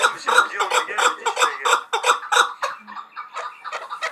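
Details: Hunting chukar partridge from Muminobod giving dense, overlapping clucking chuk notes at a brisk pace, fairly loud and reverberant.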